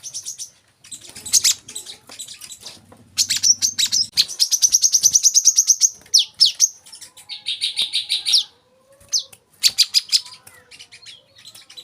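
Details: Olive-backed sunbird in a dense, varied run of song: high twittering, fast buzzy trills and clipped chirps, some notes repeated in quick rows, a faint low hum early on.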